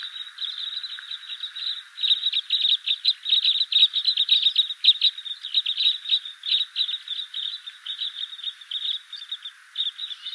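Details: Red crossbill giving a dense, overlapping stream of short, sharp high chips, several birds seemingly calling at once in an irregular chatter with no other sounds.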